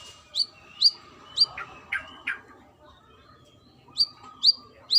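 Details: Brown-throated sunbird female calling for a male: high, sharp chirps, a few lower buzzy notes, a silent pause, then three more shrill chirps.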